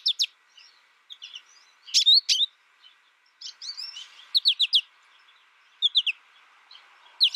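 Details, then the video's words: Goldfinch of the American species, reared alone with only a tutor recording, delivers a rambling twittering song of quick high chirps in clusters of two to four, with soft faint notes between them. "My American Goldfinch sings a tutor calling birds, goldfinch excitation to sing,goldfinch chirping"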